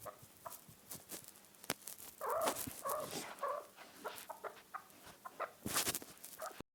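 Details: Chukar partridge calling: a short run of three harsh, clucking notes in quick succession midway through, set among scattered clicks and knocks, with a loud burst of broadband noise near the end.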